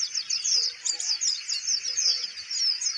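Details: Steady-tempered caged kolibri ninja (Van Hasselt's sunbird) sings while the cage is handled: a string of sharp, downward-sliding high whistles given several times a second in a quick rhythmic sequence.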